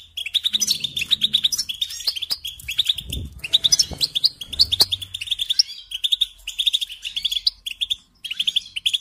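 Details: Tutoring song of a European goldfinch for training songbirds: dense, rapid twittering in bursts of sparkling notes, broken by short gaps, with a low background rumble around three to five seconds.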